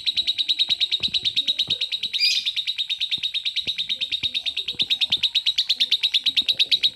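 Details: Lovebird sustaining a long ngekek trill, a rapid, regular stream of high, clipped chirps that holds steady for the whole stretch, with one brief harsher burst near two seconds and faint background clatter.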